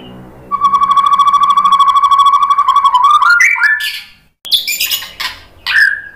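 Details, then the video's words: White-rumped shama (murai batu) song used as a lure to provoke other birds to sing: a long steady whistled note held near one pitch for nearly three seconds, then rising slurred phrases and bursts of harsh chattering notes. "SUARA KICAUAN MURAI BATU bikin NYAUT jadi GACOR NGEPLONG ¦ PANCINGAN MURAI BONGKAR MATERI"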